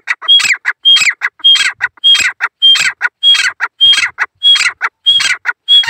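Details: Lone male grey francolin calling in the jungle: loud, harsh, rapid phrases repeated about every 0.6 seconds, each with a short high whistled note followed by grating squawky syllables, delivered steadily throughout.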